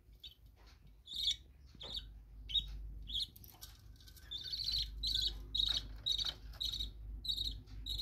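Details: Pet budgerigars in an indoor bird room chirp over a steady low rumble, with soft flapping and fluttering early on, then a quick series of bright chirps near the end.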